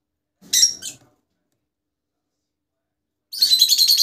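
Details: Rosella, from a set showing colour mutations. A brief pair of scratchy high notes is followed by about three seconds of silence, then a rapid buzzing rattle of fast pulses.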